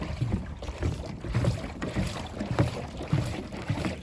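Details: Low thudding knocks and sloshing from a paddled boat, with wind buffeting the microphone and no animal calls.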